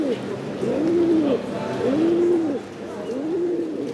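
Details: Silver-barred Indian fantail pigeon cock at the 2022 national show in Woincourt, Hauts-de-France, where he won the Coupe de France, cooing in soft, drawn-out rising-and-falling notes, three in four seconds, with faint hall chatter behind.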